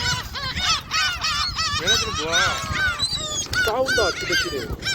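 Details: A dense chorus of gulls being fed at Jebudo: loud, rhythmic, strongly harmonic cries repeated several times a second, some lower and drawn out, over light wind noise.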